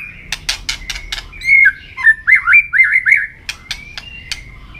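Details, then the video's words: Contest-singing white-rumped shama flicking its tail: sharp clicking notes open, then a run of loud looping whistles swooping up and down, ending in scattered clicks over a low background hum. "chòe lửa hót đập đuôi liên tục,kích chòe lửa hót đấu căng lửa sổ nhiều giọng"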